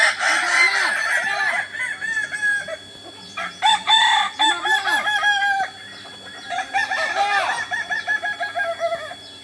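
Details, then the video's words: In Ampang Kualo, Solok, West Sumatra, Kokok Balenggek roosters crow during group training, several long stepped crows overlapping one another, each broken into many short falling syllables, with other crowing birds behind. "latihan bersama Ayam kukuak balenggek"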